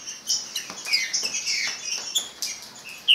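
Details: Green-winged saltator song of bright, whistled slurs, some bending down and others rising, given in quick uneven bursts with brief pauses, ending in a sharp, loud note.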